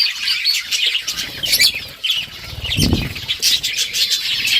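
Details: Budgies playing with each other, recorded October 30, 2023, chatter in high, busy chirps over flapping wings and a brief low thump around the middle.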